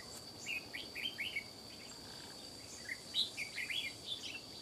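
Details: Red-whiskered bulbul, an old wild-caught forest bird, small but with a loud sharp voice, fiercely challenging and scolding a decoy; short bubbly warbled phrases in several quick bursts over a steady high-pitched cricket drone.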